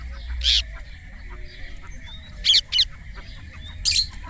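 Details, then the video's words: Indian ringneck parrot giving three harsh, broad squawks: one single, then a quick double, then a final one, separated by pauses of about one to two seconds, over a steady low background hum. "Indian Ringneck Parrot natural sound 🥰 Tote ki awaz 🦜 Mithu chirping sound"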